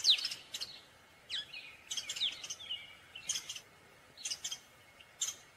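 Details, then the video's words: Gray catbird giving a steady, jumbled stream of harsh, scratchy notes mixed with thin slurred whistles, phrases tumbling one after another every half second or so, a faint high steady tone underneath. "Gray Catbird Call / Song / Sound"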